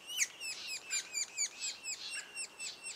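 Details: Two days before first fledging, sapsucker nestlings call with uneven, raspy, downslurring notes, some louder and sharper, spaced irregularly about twice a second.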